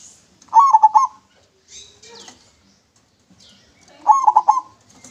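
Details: Clear-singing local zebra dove, good as a lure: two bursts of fast staccato cooing about three seconds apart, with soft rustling and light knocks in between.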